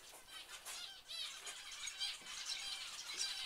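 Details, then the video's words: Aviary finches call in a lively group, short high slurred notes and squeaky chirps tumbling over one another without pause. "Finch Aviary & Birdroom"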